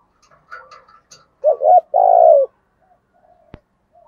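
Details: Spotted dove giving a thổ-style lure call for wild doves: a double coo then a long burry falling note, preceded by faint higher chirps, with a sharp click near the end.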